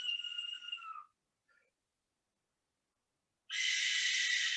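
A Barn Owl's long, harsh, hissing screech fills the last second, after a brief tonal wail that slides downward, then a pause.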